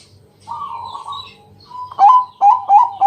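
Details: {'caption': "A Bangkok zebra dove's night-time lure song. It opens with a quiet, wavering warble, then a short pause, followed by four loud, punchy coo notes in quick succession. There is a faint electrical hum."}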